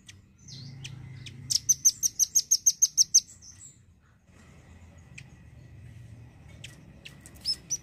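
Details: A velvet-fronted nuthatch, the red-billed kind used to tutor songbirds, delivers a steady trill of about ten sharp high notes over two seconds, then scattered ticks and a final pair of notes.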